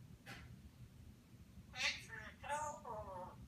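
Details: Pet African grey parrot speaking human phrases indoors: clear, voice-like words with rich harmonic bands after a quiet start, including a phrase ending "in a couple of minutes", in a small room.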